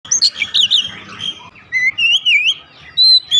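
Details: Kept oriental magpie-robin answering at once with loud, vigorous song: bright whistled phrases, warbled and looping notes, then clear rising and falling whistles and a final sustained high whistle.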